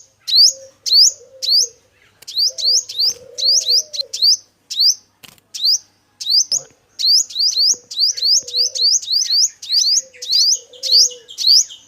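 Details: Lure recording of a male five-coloured sunbird. Runs of quick, high, upward-flicking chirps are broken by short gaps, with occasional faint clicks and a low background hum.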